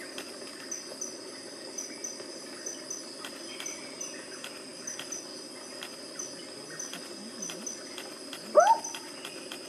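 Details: Sunda frogmouth (Batrachostomus cornutus) at night at Way Kambas, Sumatra, Indonesia, 29 July 2024, gives one short, loud, bending whistled note near the end, over a steady high, pulsing drone of night insects.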